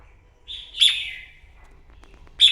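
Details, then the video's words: Red-whiskered bulbul, wild-caught, in morning competitive song: one bright, slurred warbled phrase sweeping down from a strong accented note, a few soft clicks, then the sharp start of another phrase. "Kích chào mào bổi hót đấu " luyện giọng chào mào hót buổi sáng kích chim hót đấu căng lửa"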